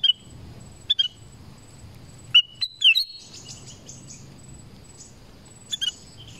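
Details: Black-crested bulbul singing in forest, a few sharp whistled phrases with quick downward and upward slides, over a steady faint high-pitched background buzz.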